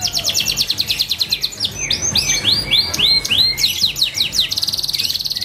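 A canary sings a fast, varied song of bright trills and rolling phrases, with a run of quick, rising swooping notes in the middle.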